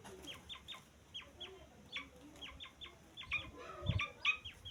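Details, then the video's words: Grey francolin (teetar) chick calls: thin, high whistled peeps that slide downward. They come in quick irregular runs of two to four notes, with faint low thumps and background hiss. "तीतर का बच्चा आवाज़"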